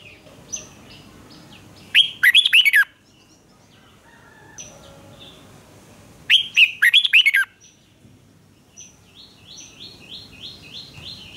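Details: Competitive song of a red-whiskered bulbul, prompted to sing hard: two energetic phrases of quick, tumbling whistles roughly four seconds apart, with scattered faint chirps and a soft rapid series of high notes near the end.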